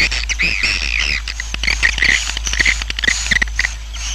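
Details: A roosting swiftlet colony chatters: dense, overlapping high chirps and twitters, sharp and slightly buzzy, pouring out almost continuously over a low hum, a roost call used to help colonies grow.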